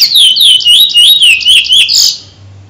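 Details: Chestnut-bellied seed-finch, known in Trinidad as bullfinch, singing a fast, continuous warble of slurred high whistles that rise and fall in quick loops, ending in a brief buzzy burst, then fading to quiet.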